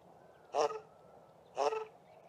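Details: South African shelduck pair duetting from sewage ponds at Mayfield, Grahamstown: two harsh, nasal, buzzy honks about a second apart, the male's honk lower and the female's call higher, against a quiet background.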